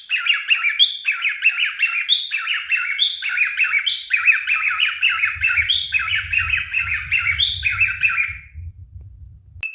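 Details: Male pet cockatiel singing in courtship: quick rhythmic chirped phrases of buzzy, bubbly notes with brief rising whistles, repeated about twice per second, then a low hum joins the second half.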